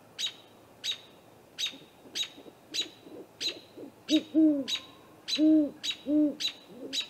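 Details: Deep, throaty hoots from a great horned owl pair checking out a great gray owl snag nest after dark on April 21, filmed by a nest cam; three loud low hoots in the second half, over regularly repeated thin, high chirps from another bird.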